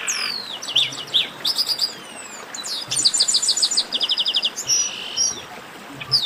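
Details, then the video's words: Busy group of chestnut-capped blackbirds giving long gliding whistles, stacked short chips in rhythmic series, and a fast run of evenly spaced ticking notes, all high-pitched and overlapping. "Baderna de Garibaldi"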